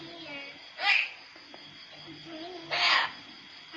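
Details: Cockatoo kept in an outdoor cage, imitating the fighting cats it hears every day, gives two harsh, raspy screeches about two seconds apart, with faint low murmuring between them.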